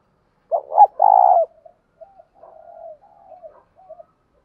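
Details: Spotted dove giving a lure call in the 'thổ sấm' voice style: a quick double note straight into a long rolling coo, then soft, faint warbling murmurs trailing away.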